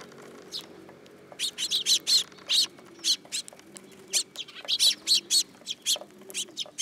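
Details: Several sparrows coming to perch on a person's hand at a Tenmangu shrine, 8 July 2022; bright, high chirps come in quick bursts, denser after the first second, some doubled, over a faint low background hum.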